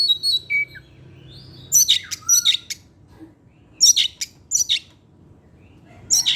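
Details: Kacer, an Oriental magpie-robin, singing in the evening: a few clear descending whistles, then repeated loud harsh scratchy bursts at irregular intervals, separated by quiet gaps.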